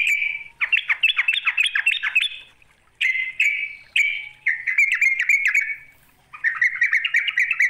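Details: Yellow-vented bulbul challenging a rival with a quick series of sharp, descending chattered notes, then separate buzzy phrases and a final bubbly trill.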